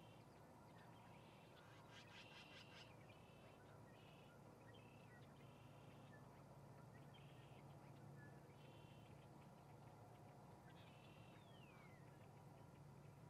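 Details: Osprey at a nest in Charlo, Montana, dated 03-08-2019: a run of sharp, whistled chirps with some down-slurred notes, given in loose bursts over steady low background rumble and hiss.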